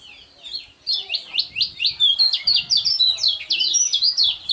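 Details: Fast, high-pitched warbling from a lemon-bellied white-eye, a contest champion with a unique voice: a continuous stream of sharp, downward-slurred chirps, growing louder and denser after the first second.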